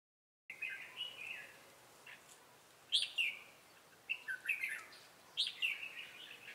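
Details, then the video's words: Red-whiskered bulbul decoy used for trapping wild birds in Bình Phước on 25 June 2018, singing the 'Ché' style: bright warbled phrases, a long slurred opening, then three short bubbly bursts about one second apart, over quiet background hiss. "Bẫy chào mào Ché cười"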